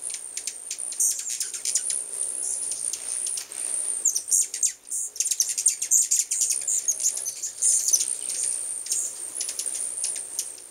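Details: Numerous hummingbirds around a house, chattering in fast, irregular high ticks, roughly several per second, with occasional brief squeaks and a continuous thin high-pitched drone in the background.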